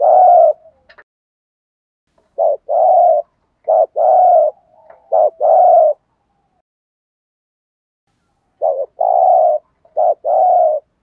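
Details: Decoy spotted dove giving 'thúc gù' luring coos: hoarse paired notes, a clipped lead-in followed by a longer rough coo, delivered in bursts separated by pauses of a few seconds.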